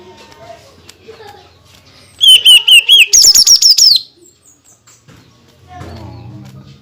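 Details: Greater green leafbird in full song, with tight rapid bursts meant to provoke other leafbirds: a quick run of trilled whistles on one pitch, then a higher fast warbled phrase, lasting about two seconds, between quiet stretches.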